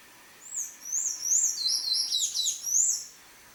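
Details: Buff-necked ibis nestlings asking to be fed in their natural Cerrado habitat in Brazil give a tight series of high, wavering, whistled squeals, several overlapping, about three per second.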